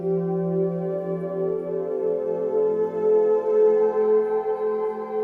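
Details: Sustained ambient music with layered droning tones and a gently pulsing swell, and no animal voice is heard.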